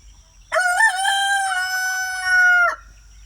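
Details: A pastured, free-range homestead rooster gives a single harmonic-rich crow of about two seconds, with a brief stuttered start, a long level hold and an abrupt end.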